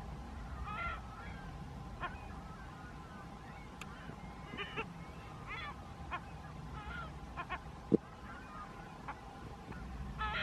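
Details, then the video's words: California gulls on the dry lakebed of Owens Lake near Lone Pine, California, below the Sierra Nevada, give short nasal honking calls scattered through the clip, several birds overlapping, over a steady low rumble and faint hum. "California Gulls"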